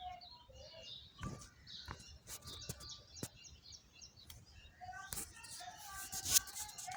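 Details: Birds chirping under a Bakayan tree, a mix of short tonal whistles and high twitters, broken by sharp clicking and tapping sounds that recur through the recording.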